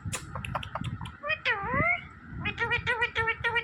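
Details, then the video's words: Talking green parrot: scattered clicks, then a whining syllable that dips and rises, followed by a quick run of six or seven even, nasal notes. "smart green Parrot Talking Natural Sounds"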